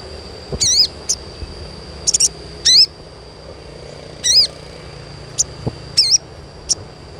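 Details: Sogon chirps played as therapy to stimulate untrained young birds to sing often: sharp, high, wavering chirps in short single or doubled bursts at irregular intervals, over a steady high hum and faint low background noise.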